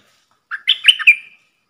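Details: Red-whiskered bulbul decoy song in a three-part style with rapid flourishes, for young birds to imitate and for luring wild birds: a lively phrase of four or five bright, liquid whistled notes in quick succession, clean background.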